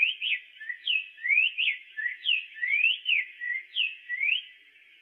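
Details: Black-faced tanager song of sweet whistled notes, some sliding upward and others dropping, delivered in a steady flowing series with no background noise.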